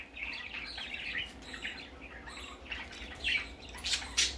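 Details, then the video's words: First time out for a baby parakeet: softer warbled chirping at first, then a few louder, brighter squeaky notes toward the end, irregularly spaced, in a quiet room. "Baby parakeet first time go out"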